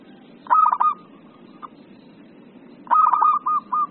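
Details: Excited zebra dove song meant for training and luring birds: two phrases of rapid, clipped mellow coos, each ending in a few spaced, drawn-out notes, quiet hiss between.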